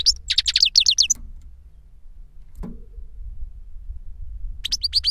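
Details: European goldfinch singing copied 'reclamo' song, master and pupil bird kept caged: a quick run of repeated high trilled notes, a long quiet gap with a faint knock, then a fresh series of sharp chirps.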